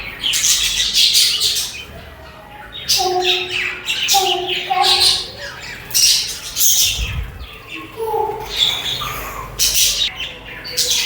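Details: Budgerigars (parakeets) squawk and warble: harsh high chirps over lower, hollow warbling notes, in busy overlapping bursts.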